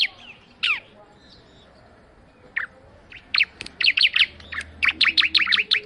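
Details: Bar-winged prinia (ciblek) song: a few isolated downslurred chirps at first, then a fast, insistent series of sharp high chirps building toward the end.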